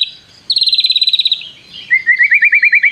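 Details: White-rumped shama singing with prinia mimicry: a rapid buzzy trill of repeated notes near mid-high pitch, a pause, then a lower string of quick rising-falling chirps repeated about eight times.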